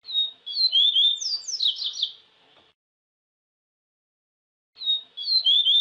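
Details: Double-collared seedeater singing in nature: a fast, high phrase of clear whistled slurs, then buzzy descending trills, about two seconds long. A pause follows before the whistled opening begins again. Quiet background.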